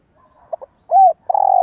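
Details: Spotted dove decoy bird with a fine voice, used to get young doves cooing: two brief soft notes, a loud arched coo, then a long rolling, throbbing croo that is cut off at the end. Quiet background.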